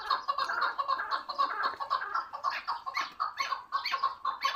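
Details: Chukar partridge used as a hunting bird utters a continuous, rhythmic series of harsh clucking notes about twice a second, some doubled, with slight variation in loudness between bursts.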